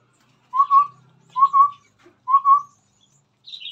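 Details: Chestnut-rumped babbler singing vigorously in front of a phone: three low, mellow whistled double notes, each a quick pair of hoots about a second apart, with faint higher chirps in the background.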